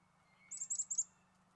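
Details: A few Black-capped Chickadees feeding on sunflower seeds at a balcony feeder; one gives a quick run of five or six thin, very high chip notes over about half a second, with a faint steady hum underneath.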